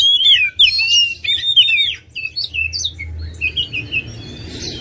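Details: Oriental magpie-robin singing a loud warbled phrase of looping whistles that fades into softer, scratchy chatter, with low background hum.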